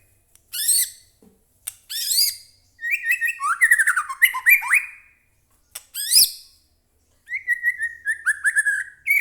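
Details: Murai batu, the white-rumped shama, in full agitated song meant to goad other birds into answering. Sharp, rasping bursts alternate with rapid chains of rising and falling whistled notes, separated by short silences.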